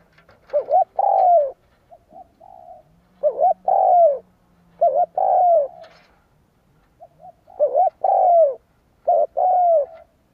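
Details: Spotted dove coos used for luring wild doves, loud paired coos of a brief lead note and a drawn-out falling note in irregular bursts, with softer quieter coos between and a low hum.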